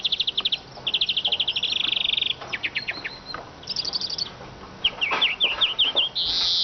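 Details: Eurasian siskin in full song: fast repeated trills, a sustained buzzy run, twittering upslurred notes in a quick series, ending in a harsh wheezing buzz.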